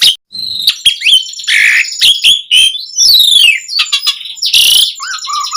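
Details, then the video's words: Asian pied starling in loud, lively full song used as a lure to make other starlings answer: a varied mix of sharp chirps, harsh bursts, rising and falling whistles and a long descending slur, delivered without pause. "Suara Jalak Suren Gacor Ocehan Ampuh Buat Pancingan Burung Jalak Agar Langsung Nyaut"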